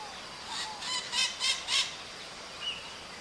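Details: Pionus parrot giving a short run of four harsh, grating squawks that grow louder toward the end, then one fainter note. Steady outdoor noise is heard behind the calls.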